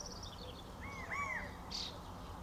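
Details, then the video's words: A quail gives its normal "it is safe" call to its flock feeding on seeds on the ground: a quick run of two or three slurred, arching notes at mid pitch, then a short high note, over steady outdoor hiss. "Quail bird song normal"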